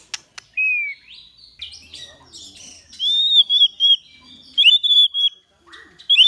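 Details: White-rumped shama song for training other birds to sing well: clear high whistles, a wavering sustained note and short bursts separated by quieter moments, with a faint low rumble early on.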